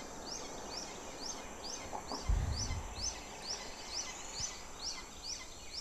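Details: Hawk feeding chicks at the nest; a steady series of sharp, high, upward-then-downward notes repeated about every half second, with a brief low thud midway and faint background hiss.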